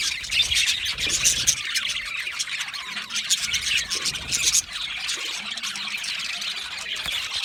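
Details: Aviary of budgerigars giving continuous busy chatter: many overlapping high-pitched chirps, rapid warbling and scratchy squeaks from several birds at once, steady and unbroken.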